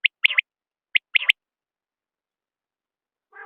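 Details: Two crisp three-note phrases from a common quail, each a single sharp note followed by a quick pair, then silence and a brief harsher harmonic sound at the end.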